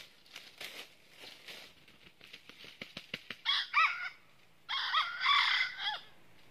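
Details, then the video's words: Red junglefowl decoy used for trapping in northern Vietnam; a series of clicks and rustling taps builds up, then two rough crowing bursts with arched harmonic notes follow, the second longer and louder. "Bẫy Gà Rừng Miền Bắc Mồi Tai Đỏ Đụng Bổi Gáy Cà Lắm"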